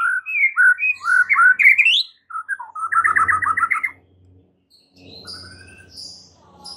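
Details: White-rumped shama singing lively whistled phrases and a rapid burst of repeated notes, then quieter calls over faint low noise, offered as a lure to cure stress in captive birds.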